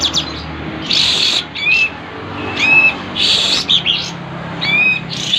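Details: Sooty-headed bulbul (kapas tembak) in breeding condition with tail spread, singing clear slurred whistled notes mixed with brief scratchy bursts, phrases repeating roughly every two seconds over steady background hum.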